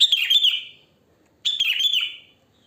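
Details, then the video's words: Sooty-headed bulbul in its natural wild voice, no learned fill: two bubbly, liquid phrases, each lasting under a second and trailing off downward, separated by a short silence. "Suara Kutilang Asli Alam Tanpa Isian Gacor"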